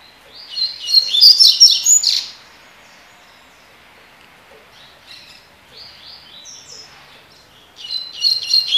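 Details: Double-collared seedeater performing tui tui (tocó) song: a loud tumbling burst of sharp chirps and buzzes, a softer stretch of quiet twitters, then another vigorous high phrase starting.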